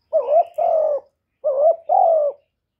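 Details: Calling spotted dove, its coo used to lure and stimulate other doves, recorded without background noise: two identical two-part phrases about one and a half seconds apart, each a quavering low note followed by a drawn-out steady coo.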